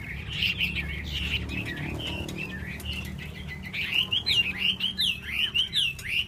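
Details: Hwamei, described as wild, singing a continuous run of clear whistled, warbling notes that slide up and down and rise toward the end, with quick varied phrases and no long pauses; low background hum.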